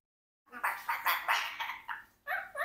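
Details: A 4-year-old Congo African grey parrot talks in quick, speech-like bursts: about eight mid-pitched, voice-like syllables with harsh edges over two seconds.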